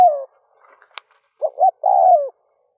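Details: A spotted dove decoy coos to attract wild doves in the early morning. The end of one falling coo, a faint click, then a full phrase of two short hooting notes and a long descending coo.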